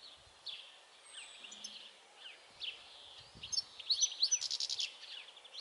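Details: European goldfinch singing: sparse, thin high chirps and slurred notes at first, then a denser run of rapid twittering, tinkling notes near the end over a soft background hiss.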